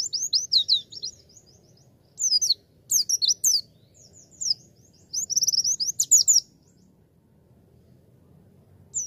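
A white-eye sings in quick bursts of high, thin twittering notes, each burst lasting about a second, with short quiet gaps between.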